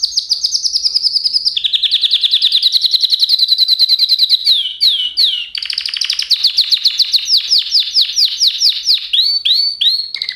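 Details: Unbroken canary song: fast rolling trills at shifting pitches, a coarse rattled section, then a run of looping downslurred whistles repeated about three times a second, clear and without background noise.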